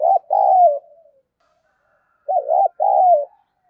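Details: Spotted dove decoy with a 'giọng đồng pha' voice, used to provoke fighting. Two close, clear phrases, each a short throaty note followed by a longer, slightly falling coo, separated by a second and a half of quiet.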